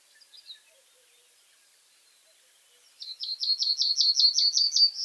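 Common Reed Bunting singing: one faint high note, a pause, then a quick run of about eleven thin, high, down-slurred chirps at an even pace.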